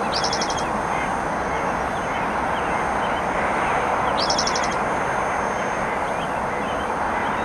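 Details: Spotted towhee singing beside the Clark Fork River on the Kim Williams Nature Trail, Missoula, Montana, in riverine and upland habitat: a short, fast buzzy trill about every four seconds over a steady rushing roar like running water.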